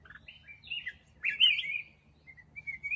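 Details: Black-crested bulbul with a quick bubbling warble, rising then dropping, followed by a few thin whistled notes; steady faint hum underneath.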